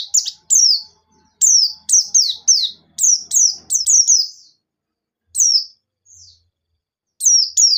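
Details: White-eye in gacor ngalas nembak song, intended to make other white-eyes sing: a rapid, busy stream of high falling chirps over the first four seconds, then sparse isolated notes and a final pair, with a faint low hum early on.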